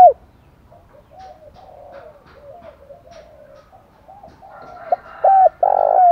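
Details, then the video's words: Spotted dove giving a 'kích bổi' stimulating call. Soft, distant-sounding coos ripple through most of the recording. It ends with a loud, close burst: a short note and a buzzy held coo. "cu gáy kích bổi - cu gay kich boi nhanh noi gù"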